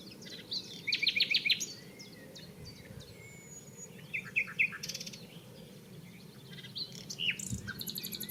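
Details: Singing common nightingale at Barcombe, Sussex, recorded 30 April: a quick burst of repeated clicking notes, then scattered whistles, slurred notes and short trills with pauses, over constant low background noise.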